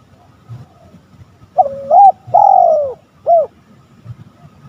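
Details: Lure call of the spotted dove, aimed at provoking rivals: a soft double note leads into a long, arching, downward-sliding coo and a short clipped final coo, over faint low background rumble.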